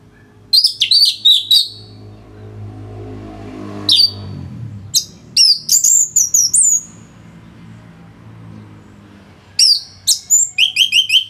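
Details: Orange-headed thrush in lively full song, used for training other songbirds: bursts of sharp, high whistled and chattering notes in three phrases, fast trills and slurred rising-falling whistles, with pauses and faint low hum between phrases.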